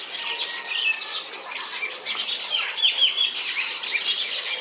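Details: European bee-eaters in captivity at Antwerp Zoo, Belgium, on 9 July 2018: short rolling, trilled mid-high calls repeat irregularly over a constant background of dense chirping and chattering from other birds.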